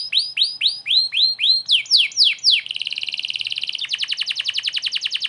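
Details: Canary in full song, played to teach White-rumped shamas: loud repeated downward-sweeping whistles about four per second, then a dense buzzy trill and a faster rolling trill of rapid notes.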